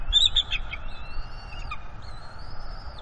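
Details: Juvenile bald eagle on its nest on 19 April 2021, mantling over fish and protecting them from its parents as it claims them; thin high squealing whistles with a brief chitter at the start, then long drawn-out tones, over low background rumble.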